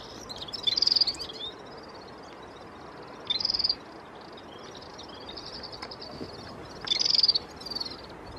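Red-fronted Serin giving three short bursts of high, rapid, jingling twitters a few seconds apart, over a faint, steady wash of soft high chatter.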